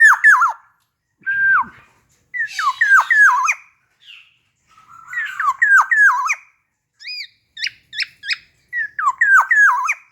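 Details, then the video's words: Tame, hand-reared caged black-naped oriole (Javan kepodang) in loud, varied song: clear fluting whistles that swoop down and loop back up, given in short phrases with pauses, plus a few quick higher notes. "Kicauan Keras kepodang jawa Berfariasi."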